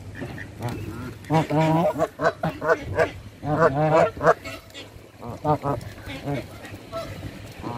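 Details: Canada geese being hand fed, calling in bursts of loud, nasal, harmonic honks, several overlapping in quick succession, then shorter scattered honks toward the end.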